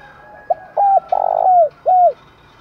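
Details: Spotted dove cooing to lure and stimulate wild birds and decoys. One clear phrase: a soft short note, a hooked coo, a long loud sustained note, then a final drooping coo.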